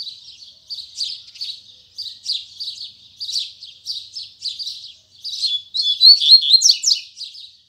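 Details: Morning song of a double-collared seedeater in the 'tui tui zel zel' style. Soft scratchy chirps repeat steadily for five seconds before building into a loud, rapid climax of clear whistles and sharp descending buzzes.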